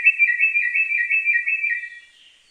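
Sri Lanka Drongo giving a clear, steady whistled phrase, warbling quickly up and down at a high pitch for about two seconds before fading out.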